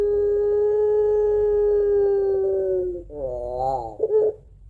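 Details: Long-crying puter pelung dove, a call style valued as a lure for other doves: a single flat low coo held about three seconds, then a quavering wavy phrase ending in a brief throaty burst.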